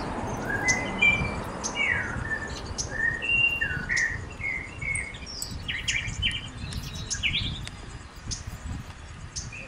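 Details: Mourning warbler in Collingwood, Ontario, Canada, singing a quick run of rich, slurred two-part notes over about five seconds, with high chips from other birds and a low rumble behind.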